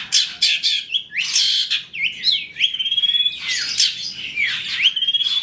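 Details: Long-tailed shrike (cendet trotol) song played as a lure to make other shrikes sing: varied, loud, high notes with rising and falling whistled slides, harsh bursts and a steady stuttering trill, in a quiet setting.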